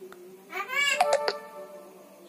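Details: Captive Javan myna imitating human words in a small room, such as bapak and mamak. It gives a nasal, harmonic word-like phrase followed by a few sharp clicks, with a steady low hum behind.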